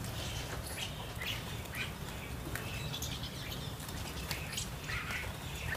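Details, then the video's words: A group of jungle mynas gathered to eat their favourite food; short harsh chirps and squawks burst out irregularly every second or so over a steady low rumbling background noise. "Group Of Jungle Myna Bird Gathered For Eating Their Favorite Food"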